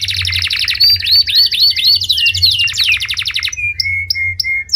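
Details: Canary in song: a rapid trill laced with looping whistled notes, followed by short, even steady tones repeated about once a second; low background hum.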